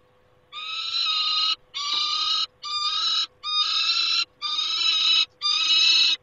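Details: Repeated harsh screaming from a peregrine falcon at the nest, 28 August 2021: six long, grating wails, each close to a second, delivered back to back at roughly one per second over a faint hum.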